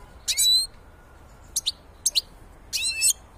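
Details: Black-headed goldfinch giving four separate bursts of liquid, slightly buzzy twitter, the first and last longer, the middle two short doubled chirps, with silent gaps between them.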